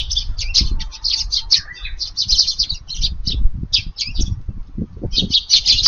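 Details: Sparrows visiting a garden for their evening feeding on a windy July 18 day, giving rapid high chirps in busy bursts with short gaps, over low rumbling wind noise and soft thumps.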